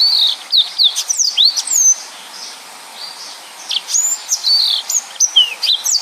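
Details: Yellow-fronted canary in lively gacor singing, delivering 'nembak' bursts meant as a tutor song for other birds. Quick high whistles sweep down and up in short phrases, then pause for about a second before resuming.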